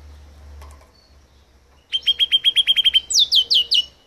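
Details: Mutated rosefinch singing: after a quiet start, a rapid series of about ten short chirped notes near the same pitch, then four higher downslurred notes sweeping down, all clear and bright.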